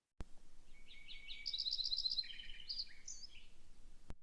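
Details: A Lincoln's Sparrow singing in a quiet area gives a bubbly, wren-like phrase: opening chips, a rapid high trill, then a lower buzzy trill and a final sweet note, over a faint low rumble.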